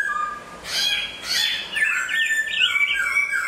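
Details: Moulting caged hwamei: two harsh broadband bursts, then a fast series of looping whistled notes repeated in a rolling pattern.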